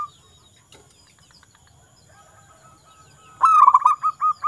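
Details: Local zebra dove singing near the end after a long quiet stretch: a sudden bright stuttering coo followed by a few evenly spaced softer coos.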